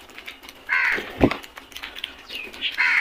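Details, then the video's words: Flock of crows: loud, grating caws in quick succession from more than one bird, plus a brief low knock between calls. "Flock of crows beautiful sound effect | Crows sounds"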